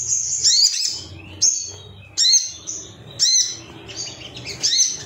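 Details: Ruby-cheeked sunbird male, agitated and calling rivals, recorded as song-training material: short bursts of shrill, thin twittering about once a second, each with squeaky rising and falling notes and quiet gaps between.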